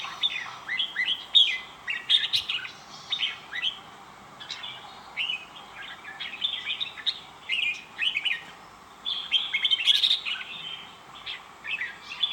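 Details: Red-whiskered bulbul in full song, a long flow of quick, chattering warbled phrases, each a cluster of sharp upward and downward notes, repeated with short breaks over about twelve seconds.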